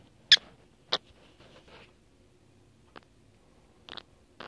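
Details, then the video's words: A lovebird making odd noises: two sharp, shrill high chirps in quick succession, then softer scratchy rustles and a few brief, fainter shrill bursts spaced out over several seconds. "Lovebird Making Odd Noises"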